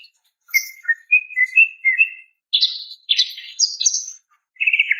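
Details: Greater green leafbird female calling to a male: thin sliding whistles that rise and fall, then burry, scratchy bursts and a high squeaky phrase, ending in a buzzy trill.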